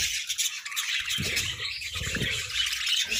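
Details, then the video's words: Parakeets in a playful squabble over food, giving busy overlapping chirps and scratchy squawks throughout, with dull bumping and rustling noises in the middle. "Parakeet Symphony & Budgie Brawls: Chirping Sounds and Food Fights!"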